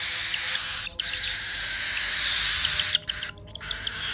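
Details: Pet cockatiels squabbling while competing for food, giving harsh, raspy screeches and sharp chirps in a dense, continuous burst.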